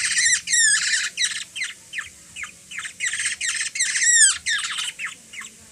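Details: Harsh, insistent begging squawks from a hungry young Black-naped oriole hand-fed by a toddler in the Philippines, repeated about three per second, several ending in sharp falling whistled slurs.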